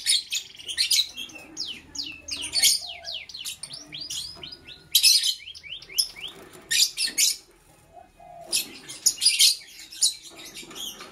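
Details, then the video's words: Lovebird chirping in the morning: shrill, high chirps in quick runs of short downward-sweeping notes, loud bursts coming about every two to three seconds, with softer scattered chirps and faint low rustling between them. "Sweet Lovebird Sounds - Chirping Sounds"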